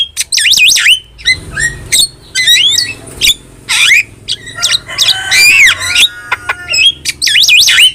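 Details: Loud, dense starling chatter serving as a master recording for pet starlings: looping whistles, swooping squawks and grating harsh bursts follow almost without pause, with wavering sliding whistles near the end.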